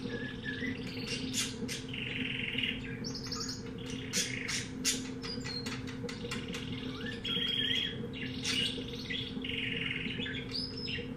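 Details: Pet-shop canary of undetermined type in full song: long sequence of rapid trills, rattling rolls and flat sustained buzzy phrases alternating with sharp clicks, all over a steady mechanical hum.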